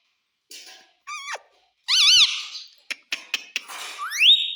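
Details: Indoor pet parrot imitating the words "mummy" and "papa": a short quavering squeak, then a louder wavering call, a few sharp clicks, and a final upward-sliding whistle.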